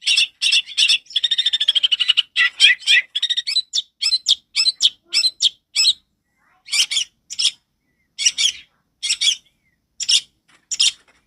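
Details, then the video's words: Long-tailed shrike song, loud and clear, used to train young birds: harsh, scratchy chattering bursts, with a buzzy trill early on, then sparser short rasping phrases separated by silent gaps of about half a second. "suara cendet ini keras dan jernih"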